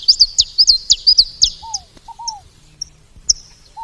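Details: Saffron finch calling at a feeding spot: a quick run of sharp, high chirps that thins out into scattered single notes, with a few lower, slurred downward whistles in between.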